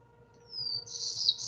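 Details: Black-throated Blue Warbler song from a Vermont forest canopy, a slurred "beer beer bree": thin, high, drawn-out note running into a rough, buzzy burst, with a steady low electrical hum behind.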